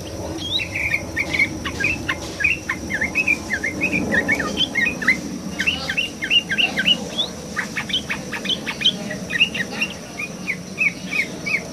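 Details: Yellow-vented bulbul singing vigorously over water: a lively run of short, chirpy, slurred whistles that rise and fall and come in quick succession, some overlapping, above a steady low background rumble.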